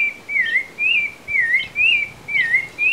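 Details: A creamy-bellied thrush, hidden in a bush with its nest by a mountain stream near Ascochinga, Córdoba, Argentina, in 2020, gives thin, high, wavering whistled notes about once a second over soft hiss.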